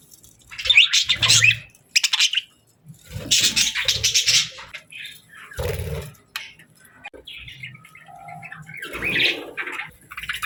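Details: Parakeets chirping, kept as pet birds: bursts of harsh, scratchy chatter alternating with short pauses, some low thumping underneath, and a softer warble toward the end.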